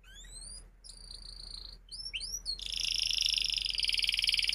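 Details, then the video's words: Canary song meant to teach young canaries to sing. Soft rising whistles and a few quick slurred notes lead into a louder, dense, rapidly pulsing high trill. "kenari gacor panjang Cuit Cuit EMOSI, Pancingan Kenari Paud Belajar Bunyi"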